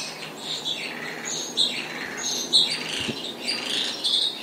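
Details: Spotless starling song of scratchy, squeaky notes and thin rising whistles, uneven bursts roughly once a second over a soft low hum.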